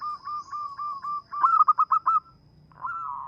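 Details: Local zebra dove with a small, melodious voice used for luring: a string of soft rolling coos, then a quick trill of sharp staccato notes, and finally a longer, fuller coo. A thin constant high tone runs in the background.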